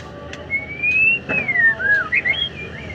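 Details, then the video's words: Afternoon song of a white-rumped shama (murai batu): one long, clear, whistled phrase that rises, then falls in smooth swoops and ends in quick higher slurred notes, loud over faint background noise. "Bahan Murai Batu Gacor"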